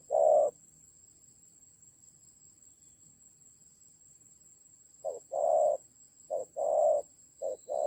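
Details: Decoy spotted dove in a fight, Central Highlands of Vietnam, October 2020: a single coo, over four seconds of quiet, then a fresh burst of short-long coo pairs; faint high electronic whine.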